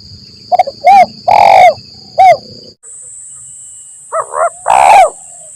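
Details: Trapping-lure recording of a spotted dove, 'lambung Kuk 1 Mersik' style: clipped soft notes, short coo, long rough coo and short coo, then a cut to a second take of quick notes and a long coo, steady high whine throughout.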